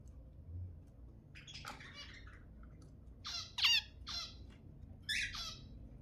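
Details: Zebra finch calling, meant to encourage breeding: a run of brief buzzy, nasal beeps, rising in loudness toward the middle, then a couple of closely spaced harsh notes near the end; low steady hum beneath.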